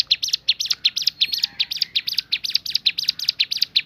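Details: Ciblek gunung (bar-winged prinia) delivering its 'tembakan' variation song: quick strings of high, clipped chirps, roughly three per second, some notes doubled, forming a continuous rattling burst.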